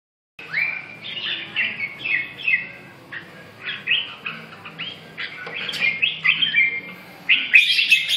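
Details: Red-whiskered bulbul singing: a run of short whistled, warbling phrases around mid-high pitch, slurred up and down, with brief pauses and a louder, busier burst near the end.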